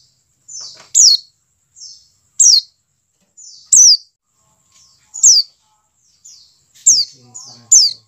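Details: Call of a white-eye, played to prompt caged birds to sing: sharp, very high falling chirps preceded by softer buzzy slurs, repeated about every 1.3 seconds, faint low knocking near the end.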